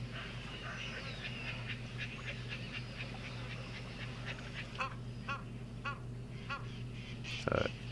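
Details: An Egyptian goose at Mashatu in October 2022 gives a long run of harsh, nasal honking notes, several per second, over a steady low hum and background noise.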